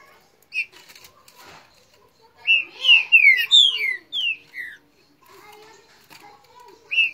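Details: Green-winged saltator (trinca-ferro) in Rio de Janeiro, singing in a dispute with a neighbouring bird: loud clear whistled phrases of falling and rising notes around the middle, with short single notes before and after and faint background noise.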